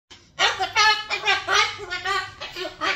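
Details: A male pet cockatoo rants indoors while his owner films a selfie, in rapid voiced bursts like excited talking and laughter, with several rising and falling squawks in three seconds.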